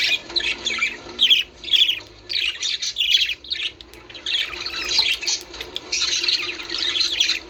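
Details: Budgerigar chatter meant to encourage breeding: separate bursts of warbling chirps, each about half a second, then merging into longer runs of squeaky twittering.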